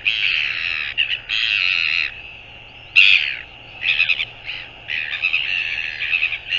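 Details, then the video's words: Northern royal albatross on 24 January 2022 uttering loud, sustained hoarse braying in long harsh phrases, broken by short pauses and a sharp louder note near the middle. "Northern royal albatross"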